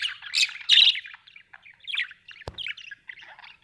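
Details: Budgerigars kept at home, giving harsh squawks early on, then softer, jumbled chirping and twittering, with a single sharp click partway through.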